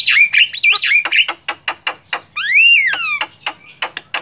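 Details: Wild Javan myna giving wavy up-and-down whistles, then a series of sharp clicking notes broken by one long arched whistle that rises and slides down, with more dry clicks after it.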